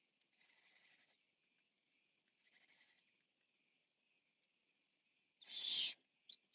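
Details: Largest Barn Owl owlet eating, recorded 14 September 2015. Two soft, breathy hissing bursts, each under a second, come a second apart, then one much louder harsh, rasping screech near the end, followed by a brief faint click.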